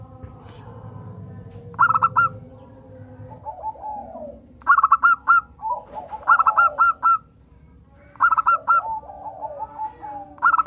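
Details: Local zebra dove song used as a lure to prompt other zebra doves to sing: three bursts of fast, staccato, ringing coos every three seconds, with softer lower cooing notes between them.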